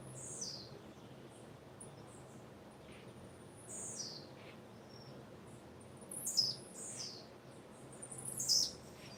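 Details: Female blue-black grassquit with faint high chirps early on, then a louder cluster of thin, falling notes near the end, set against a constant low background hiss.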